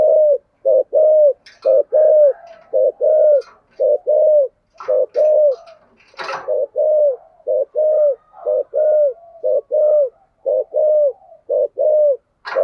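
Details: Spotted dove used as a decoy, delivering thúc and gù calls in the 'thổ' voice: a long run of steady, evenly spaced mellow coos, about twenty notes. A brief clattering noise sounds near the middle, with faint chirps behind.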